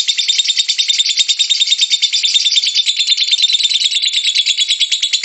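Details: Lovebird singing in the long chattering style called ngekek, played to coax other lovebirds into song: an unbroken, dense, rapid high chatter of scratchy notes, pulsing several times a second without pause.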